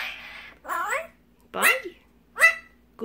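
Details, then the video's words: A rescued magpie, imprinted on humans and raised for about a year and a half, mimics speech, giving four short voice-like phrases resembling "bye" about once per second, with people's voices close by. "Magpie learns to talk!"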